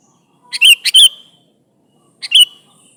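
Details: Sooty-headed bulbul calling its companions, delivering a bubbling three-note phrase with a slurred whistled tail, then after a pause a shorter two-note chirp.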